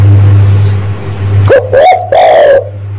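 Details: Spotted dove lure call for males: a rising lead note slides into two drawn-out, mellow coos, the last one long and slowly falling, with a constant low electrical drone.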